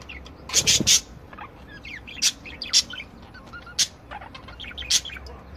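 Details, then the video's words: Various budgerigars from a breeder's aviary: scattered harsh rasping bursts and sharp clicks, with soft whistled twitters and chirps between the louder notes. "Chant perruches"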